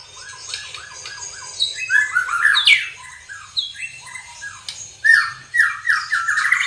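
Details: White-rumped shama arranging its song from a rapid string of short harsh downward notes and squawky slurs, with a loud ringing burst in the middle and strong whistled phrases near the end.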